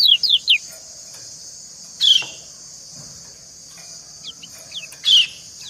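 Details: Female white-eye calling to tempt a male and trading calls with him: a quick run of thin, high, downslurred chirps, then louder sharp bursts around two and five seconds, over a steady high-pitched hiss.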